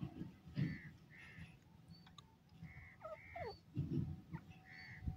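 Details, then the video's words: Indian francolin calling: harsh, nasal mid-pitched notes in short groups, separated by pauses of a second or two, over a low rumbling background with faint higher bird chips. "teetar ki boliyan,dakhni teetar ki awaaaz"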